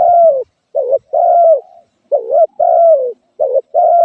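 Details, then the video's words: Spotted dove giving mellow low coos, a brief bent note followed by a longer falling coo, in close repeated pairs against a quiet background. "suab nquab lauj kaub tawg เสียงนกเขาใหย่"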